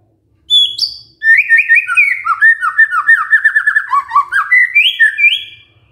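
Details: White-rumped shama lure song aimed at a sluggish male: a high whistle, then a long rapid stream of chattering warbled notes ending in rising clear whistles.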